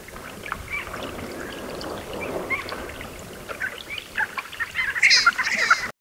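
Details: Red-breasted Merganser (Mergus serrator) giving short, scattered calls over a steady hiss of water or wind, rising to a louder burst of rough notes at the end.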